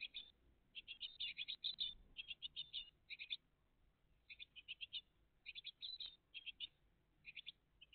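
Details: A great tit family at the nest on a June morning in 2023 produces dense strings of thin, high chirps, busy at first, then sparser, scattered bursts with quiet gaps.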